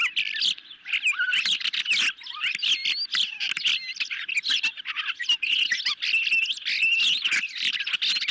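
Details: At an osprey nest on a July 2021 evening, the hungry birds get a medium-sized fish; nest camera captures rapid, squealing chirps and short whistles repeated throughout, overlapping constantly.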